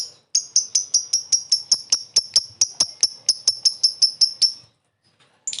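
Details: Lovebird calling a rival, the short laughing ngekek used for luring: sharp high chirps repeated evenly about four times a second for four seconds, then a harsh note after a short silence.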